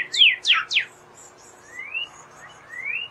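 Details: Northern cardinal: three loud, steep descending whistles in quick succession, then two long, slow rising slurred whistles separated by quiet.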